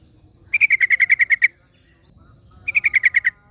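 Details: A wild yellow-vented bulbul answered by another: two bursts of loud, evenly repeated chirps, about ten notes and then eight, slightly falling, with a quiet gap between.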